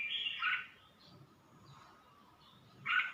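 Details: Red-whiskered bulbul from Suan Phueng, Ratchaburi, giving two brief chirpy warbled notes, one at the start and one at the end, with a quiet stretch of low background rumble between them.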